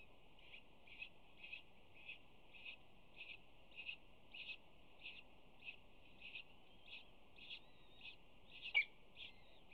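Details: Female peregrine falcon at a UC Berkeley nest scrape on April 25, 2019, chirping to her two newly hatched chicks as she tears prey and feeds them. Short high chirps repeat about twice a second, with one sharper, louder note near the end.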